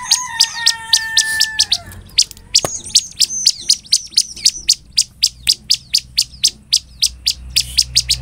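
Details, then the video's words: Bar-winged prinia lure song aimed at drawing responses from other prinias: a long, even series of sharp high chips, opening with steady lower whistled tones alongside, and a short thin whistle midway. "ASLINYA CIBLEK GACOR BIKIN CIBLEK LAIN MERESPON, Pancingan ciblek agar bunyi|| suara ciblek"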